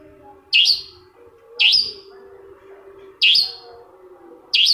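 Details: Long-tailed shrike (cendet) giving a lure song to provoke another shrike into singing. Four sharp, rasping, downslurred notes come about one to one and a half seconds apart over a faint steady tone.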